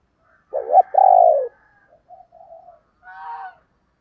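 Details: Female spotted dove of the 'thổ đồng' voice style, used as a lure for males: a loud, drawn-out coo, then softer short coos, ending with a brief, richer coo with overtones, in a quiet setting.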